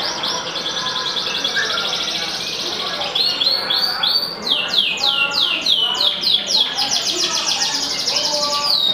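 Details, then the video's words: Yellow canary in energetic song: a long rolling trill followed by rapid repeated downward-sweeping whistles, continuous and loud over a noisy background. "KENARI F2YS BON KUNING GACOR FULL"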